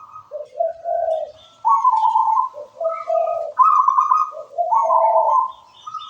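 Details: A local zebra dove of wild stock sings steadily. It gives a repeated cooing phrase of quick low trilled notes and higher rolling coos, about three phrases in six seconds, with clean, quiet surroundings.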